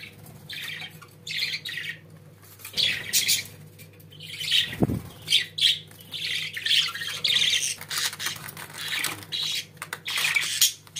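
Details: Household budgerigars chattering in a long run of short scratchy phrases, repeated roughly every half second, with a soft thump near the middle and a constant low hum behind them.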